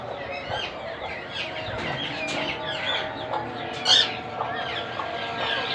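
Monk parakeet chicks give a dense, raspy chatter of overlapping begging calls as they are fed.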